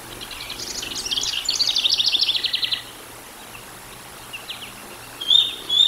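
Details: Bald eagles on the Decorah North live nest cam, 13 July 2022, evening at 18:47: a rapid, buzzy stream of high chittering notes lasting about two seconds, then a pause and a few more short, sharp notes.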